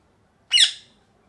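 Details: Parrot giving one loud, harsh squawk lasting about a third of a second, a grating burst that fades quickly into silence, with no other sounds around it.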